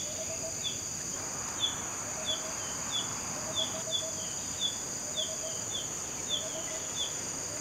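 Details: Female Green-backed Flycatcher (Ficedula elisae) calling, a common winter visitor in Malaysia: short, high downslurred notes roughly every half second, soft low double clicks between, over a steady high insect hiss.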